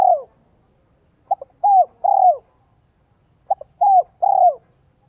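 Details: In Vietnam a spotted dove kept as a lure for wild doves, voiced 'giọng son 1 cốt lỡ', repeats a three-part phrase about every two seconds: a quick double pip, then two mellow falling coos.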